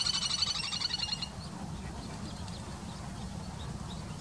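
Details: Little grebe at Plaiaundi, Txingudi, in Irun, Gipuzkoa, recorded in September 2019. A rapid, high, pulsing trill of closely repeated notes lasts just over a second, then fades, leaving steady low background rumble.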